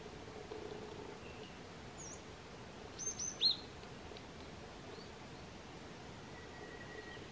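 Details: Chestnut-vented nuthatch (Sitta nagaensis montium) at Doi Lang, Thailand, on 13 February 2024, giving three short, sharp, high notes in quick succession over a steady hiss, with a faint thin whistle near the end.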